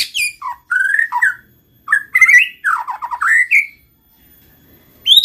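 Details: White-rumped shama, locally murai batu, singing to lure other shamas into song: rich warbled phrases with rising and falling whistles and rapid trilled segments, then a brief pause before a high note.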